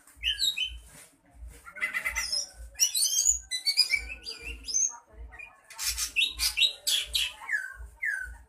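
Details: Greater green leafbird in training for mental toughness, giving a varied stream of sharp high whistles, chirps and squeaky swept notes, with a steady low thumping beat underneath throughout.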